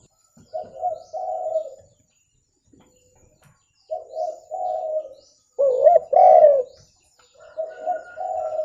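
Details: Spotted dove cooing, recorded for use in luring birds: clear, low, throaty coo phrases in rhythmic bursts, each about a second long, separated by short silences. One phrase is sharper and more emphatic.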